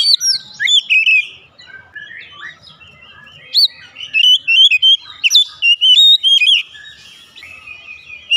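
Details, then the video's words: An Oriental magpie-robin sings a rich, varied run of loud whistles, sliding notes and quick chirps in bursts, with slight background hiss. "Kacer cepat ngeplong gacor"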